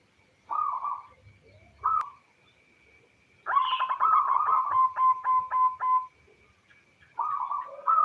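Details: Local female zebra dove (perkutut) calling a male, played as a lure to get males singing; short cooing notes, then a rapid stuttering trill of about a dozen pulses ending in a steady tone, followed by further coos.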